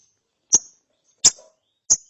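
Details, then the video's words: Young lovebird twittering in the ngeriwik style after therapy: three short, sharp, high chips spaced roughly two-thirds of a second apart in a quiet setting. "ANAKAN LOVEBIRD NGERIWIK SETELAH DITERAPI"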